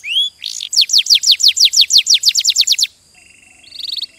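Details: Canary song: a rising whistle, then a fast run of bright descending sweeps lasting about two seconds, followed by a quiet pause and a soft buzzy phrase.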